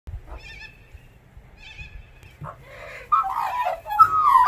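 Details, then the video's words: Australian magpie family of four singing at a front door in the morning: two soft, wavering phrases, then a louder burst of rich, fluty warbling with sliding, gurgling notes. "Morning Song - MagPie Therapy"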